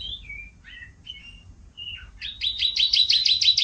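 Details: Young canary beginning to learn to sing: a few soft, separate whistled notes, then a fast rolling trill of repeated high notes growing louder.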